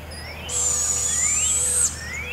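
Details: Barred owl owlet at Devil's Den Campground, one of two young moving tree to tree while their mother brings food, 7 am in forest: a single high, hissing screech of about 1.3 seconds with a faint whistled line, steady then ending abruptly.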